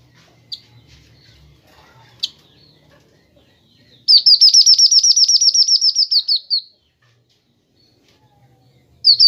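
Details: Kinoi bird singing, recorded to train and lure birds: after quiet low background rumble and two isolated chips, a loud high rattling trill of about twenty notes runs for over two seconds, then another begins.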